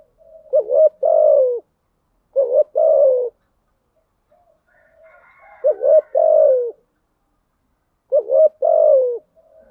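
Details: Spotted dove calling as a decoy to draw in other doves, in the 'thúc gù, gáy gọi' styles: three clear groups of soft hooting coos, each a quick double note then a long descending coo, spaced by silences.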